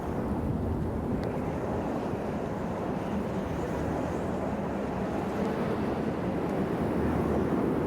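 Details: Continuous low engine-like rumble beside the Imjin River, steady throughout with no animal calls.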